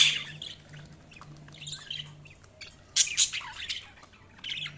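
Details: Budgerigars chattering: a steady stream of warbling high chirps and scratchy notes, with louder bursts just before and after the three-second mark and a low hum in the background.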